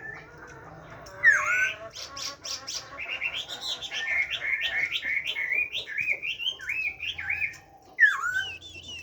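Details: Hwamei song in the forest style from a caged bird. One bright falling whistle is followed by a long string of quick, wavering whistled notes that rise and fall in a steady pattern, then closes on another loud dropping note.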